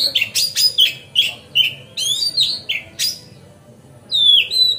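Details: Magpie-robin singing energetically to provoke rivals, with a rapid series of loud, sharp whistled notes and trills about every quarter second, then a pause and a long, clear whistle bending downward.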